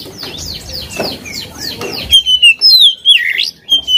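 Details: Oriental magpie-robin, caged and provoked to sing against a rival; a run of quick repeated chirps gives way to loud clear whistles, long falling slurs and a deep swooping dip, phrases in rapid succession.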